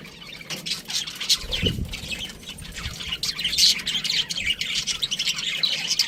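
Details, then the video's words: Pet budgerigar chirping: dense high twittering and short squeaky notes, loudening toward the end, with a low thump near the start. "cute budgie chirping sounds"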